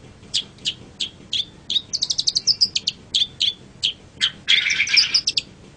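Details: Tutor recording of a long-tailed shrike for training other birds: spaced sharp chips, a quick stuttering run of high notes, more isolated chips, then a brief harsh rasping burst.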